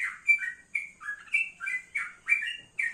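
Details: A male yellow-vented bulbul, set out in the morning sun, gives short warbling bursts of liquid notes, some steady and some dipping, in a quick, uneven rhythm.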